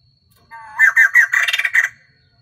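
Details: Caged female white-crested laughingthrush used as a lure to stir up males and singing all day. A short rising lead-in breaks into about six loud, raspy, chattering notes in rapid succession.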